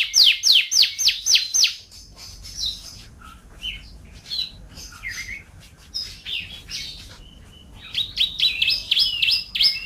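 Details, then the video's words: Champion canary, described as a 'gacor' national winner and used as a training master. Loud bursts of rapid downslurred notes open and close the passage, with a quieter middle of scattered short whistles and buzzy notes. "KUMPULAN SUARA KENARI GACOR BERBAGAI VARIASI DAN GAYA !"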